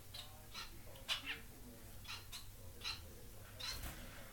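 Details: Caged pair of Society finches, white fawn pied male and white chocolate pied female, in their new flight cage; short chirps and buzzy notes scattered unevenly, with a soft low hum throughout.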